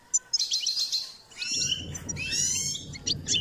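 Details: Goldfinch singing during a training session: two sharp clicks, then a twittering, buzzy phrase of high notes; a low hum enters halfway through and continues under the song.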